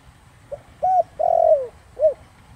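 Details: One Thổ Đồng-style spotted dove phrase, meant to lure wild doves: a quiet short note, an arched coo, a long mellow falling coo and a brief rounded final note, low-pitched.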